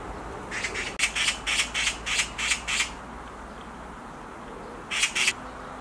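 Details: Black magpie perched on a tree branch giving a quick run of about eight harsh, rasping screeches, then two more after a short pause, over a quiet, steady outdoor background.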